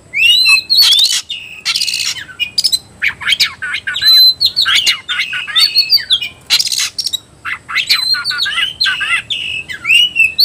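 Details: Oriental magpie-robin provoked into an aggressive, fighting mood, singing loudly with a rapid run of varied whistles, sharp chirps and slurred upward and downward notes, nearly continuous with only brief pauses.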